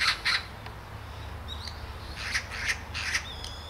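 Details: Great spotted woodpecker at Hanbam Village, Daeyul-ri, Bugye, Gunwi, Korea, uttering loud clipped kik calls in twos and short runs, with a thin rising whistle from another bird between them over faint hum.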